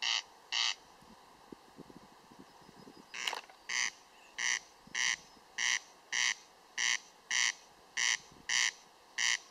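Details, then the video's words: Corncrake (Crex crex) calling steadily: harsh, rasping, broadband bursts, each about a fifth of a second, repeated roughly every half second in a dry mechanical rhythm, with quiet background and a brief soft rustle midway. "Derkacz - The corncrake (Crex Crex) - odgłosy/sounds"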